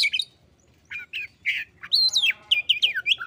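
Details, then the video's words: Oriental magpie-robin replying to a rival: buzzy chips, a long arched whistle, then a quick row of sweeping whistled notes. "KACER MANGGIL LAWAN YANG MALAS BUNYI LANGSUNG NYAUT"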